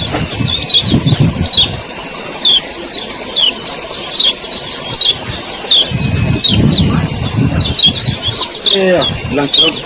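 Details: Repeated high, sharply falling chirps from a male common iora in 'ciak ciak' style, used to stir other ioras to sing, coming about once a second amid steady hiss and intermittent low rumbling noise.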